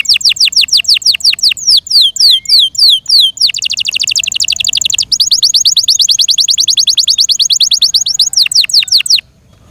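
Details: Yorkshire canary song of fast repeated descending whistles that merge into a long rapid buzzing trill, then return to slower sweeping notes before stopping.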